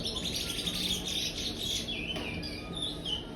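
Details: Praia-style song from a young aviary-kept chestnut-bellied seed finch, five months old and still brown: loud, rapid high chirps and sweeping whistles tumble together without pause, with a faint low hum underneath.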